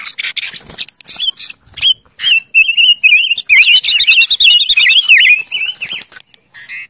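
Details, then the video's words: Silver-eared mesia, a Vietnamese Ngũ Sắc decoy bird. After scattered clicks, it gives a run of warbled, looping whistles that build into a longer, fluid phrase before fading into more clicks. "Tiếng chim Ngũ Sắc mồi | Sounds of Leiothrix argentauris"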